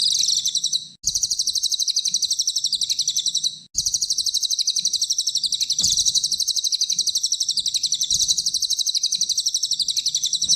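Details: Small minivet (cililin) singing its tight, rapid 'tembakan' song, used as a tutor recording for training songbirds: long, dense bursts of very high, fast chattering notes, about four per second, broken by short pauses.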